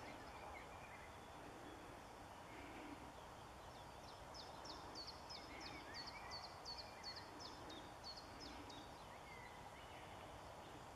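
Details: Lesser redpoll on the morning of 13 April 2013 at Cowpen Bewley Woodland Park, Billingham, part of a flock of 50+ feeding in alder and willow. It gives a quick run of thin, high, metallic chirps, several per second, over a steady rushing hum.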